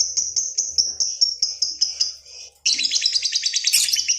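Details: Lovebird giving a long ngekek trill, used to lure and train other lovebirds: a fast, even chatter of high notes for about two and a half seconds, a brief pause, then a second, harsher rapid trill.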